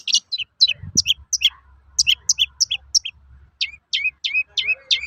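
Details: Long-tailed shrike giving toet-toet calls to provoke other shrikes: rapid series of short descending chips, ending in repeated sweeping notes, over low hum.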